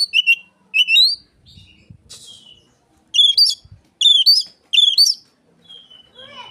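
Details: Oriental magpie-robin mimicking Asian pied starling, for use as a lure for other magpie-robins: short bright bursts of harsh, chattering notes rich in overtones, several in quick succession with pauses between, and faint low murmurs in the background.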